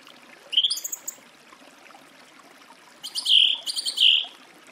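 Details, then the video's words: Song thrush delivering loud, ringing whistles with high overtones and scratchy notes, in short bursts separated by pauses, over a background of steady hiss. "Голоса птиц. Дрозд певчий (Turdus philomelos)"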